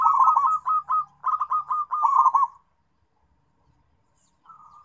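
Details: A local zebra dove calling to companions gives a fast, chattering series of rolling coos in three clustered bursts, then falls silent before a faint, soft coo returns at the end.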